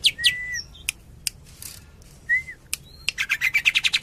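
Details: Greater green leafbird song: sharp high whistled sweeps and slurred notes, scattered clicks, then a fast run of bright repeated chips near the end.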